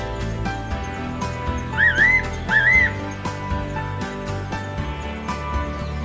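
Fairy pitta giving two clear, rising double-note whistles about half a second apart, over steady background music.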